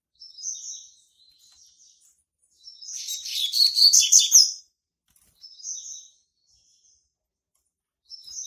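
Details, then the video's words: Young male Double-collared Seedeater, captive in Brazil and hatched March 2019, singing to claim territory: brief high whistled notes, then a long loud buzzy jumbled phrase lasting two seconds, followed by more short notes. "COLEIRO PARDO QUERENDO JÁ MARCAR SEU TERRITÓRIO"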